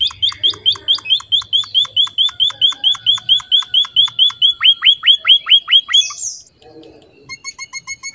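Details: Emprit finch in lively filler song, repeating loud, sharp chirps at a brisk steady pace for about six seconds, followed by a brief scratchy noise and a quieter series of thin ticking notes.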